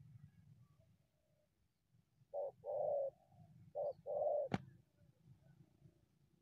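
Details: Wild spotted dove drawn from the bushes to a decoy, calling a short coo then a prolonged one, twice, followed by a sharp click and low background rumble.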